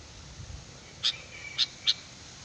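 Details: Sooty-headed bulbul lure sound, lively: three short bright chirps spaced about half a second apart after a quiet start, with a steady faint hiss underneath.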